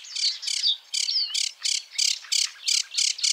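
Sedge warbler singing a fast run of harsh, scratchy chattering phrases, about three per second, with a brief sweet whistle slipped in; no other sounds.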